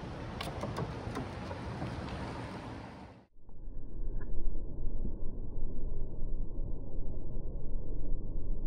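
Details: Gusty wind noise cuts off abruptly, followed by a low rumbling hum with a faint steady tone, and no animal calls.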